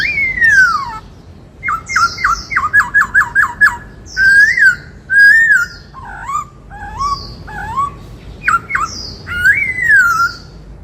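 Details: White-cheeked laughingthrush singing in the 'bắt cô trói cột' style: a loud falling whistled slur, then a quick run of six repeated upslurred notes, followed by varied warbled and swooping clear whistles separated by brief pauses.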